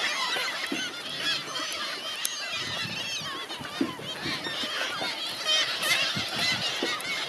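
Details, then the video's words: Many hungry seagulls calling together at Helløya, 2017. Harsh, honking and mewing cries overlap in a busy, rapid jumble, with occasional louder close calls and some low thumps beneath. "Hungry seagulls"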